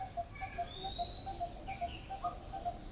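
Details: Likely Coppersmith barbets, two birds calling and slowly falling into sync: steady, hollow low 'tuk' notes, about two or three a second, with overlapping series, and thin whistles from other birds above.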